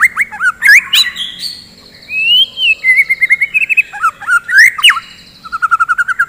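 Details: Morning song of a white-rumped shama, played to rouse fighting birds: loud sweeping whistles, a long slurred phrase, then fast trills of repeated notes ending in a rapid chatter.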